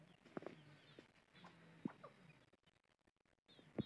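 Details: Chicken fighting with its mother hen; short, low clucks and sharp squawks come in scattered bursts, with a brief hush before a final loud cluck at the end.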